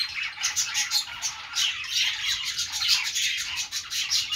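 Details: Budgerigar chatter of rapid overlapping high chirps and harsh squawks, pulsing in quick bursts with a few clearer whistled notes.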